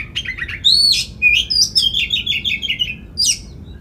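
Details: Oriental magpie-robin in full voice, used to draw other magpie-robins into singing and tail display; quick, tumbling run of high twittering and chattering notes, then a single sharp high note after a brief pause.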